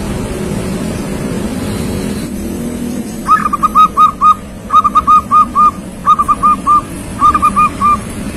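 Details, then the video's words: Young local zebra dove in full song: after a few seconds of low traffic-like rumble, four phrases of quick, mellow whistled coos, each a short run ending in a longer note, roughly one phrase per second. "perkutut lokal gacor masih muda sudah gacor"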